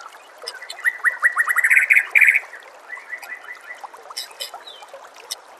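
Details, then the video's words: A White-rumped shama gives a masteran training song against nature sounds and trickling water. A fast run of repeated rising notes grows louder and ends in a buzzy flourish, then softer chips follow. "murai batu anda dengar suara MASTERAN burung seperti ini"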